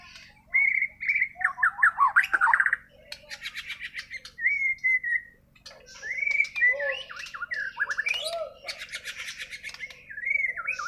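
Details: Bornean white-rumped shama in full natural song, not taught from recordings: clear whistled phrases, some sustained and level, others quickly warbled, with harsh rattling inserts and brief silences between bursts.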